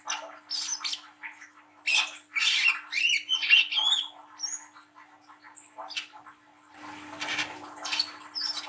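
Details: Spotted juvenile brown-throated sunbird singing ngriwik nglagu, to prompt young birds into song. Fast, high, squeaky chirps and short whistles tumble together, then fade into softer scratchy twitters toward the end.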